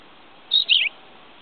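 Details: A tawny pipit (Anthus campestris), recorded 5 June 2010, gives a single short, high two-part song phrase: a thin whistled note, then a slurred, slightly falling chirp, over quiet background hiss.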